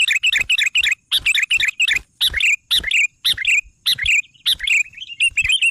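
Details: Energetic Sooty-headed bulbul song: short bubbly phrases repeated about twice a second, each a sharp onset sliding into a warbled downturn, with crisp tapping clicks between.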